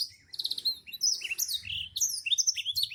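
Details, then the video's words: Black-throated canary, a national champion bird described as singing prolifically: rapid high twittering song of sharp chirps, slurred whistles and buzzy trills, in bursts with a short pause near the start; faint low hum in the background. "burung blackthroat super gacor juara nasional"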